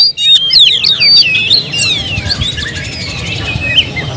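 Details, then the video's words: Oriental magpie-robin giving a burst of clear, rapidly shifting whistles and slurred notes that fades into softer twittering after about two seconds. "suara kicau burung Kacer"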